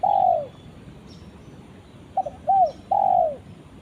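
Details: Spotted dove calling its companion: a long falling coo, then a short note and two more drawn-out descending coos, over a steady background hiss.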